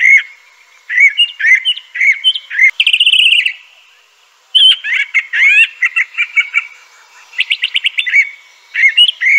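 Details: Crissal thrasher in full song, stringing together clear whistles, a buzzy rapid trill, and varied chirps, pausing for about a second before resuming with rising slurred notes and fast repeated series.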